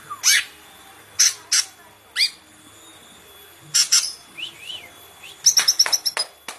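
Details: Green leafbird singing sharp metallic bursts spaced irregularly, a pair of descending whistled slides, then a quick stuttering cluster of notes.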